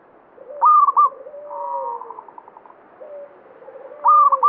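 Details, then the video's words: Local zebra dove singing actively in banyumili style, a bird believed to attract good fortune; two loud high stepped cooing phrases framing a purring trill and lower drawn-out coos from nearby doves. "Perkutut lokal banyumili suara gacor"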